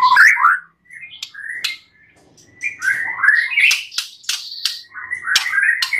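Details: White-rumped shama (murai batu) song rich in mimicked phrases (full isian), used as a training recording to prompt other birds to sing: varied whistled and chattering phrases with brief pauses between bursts.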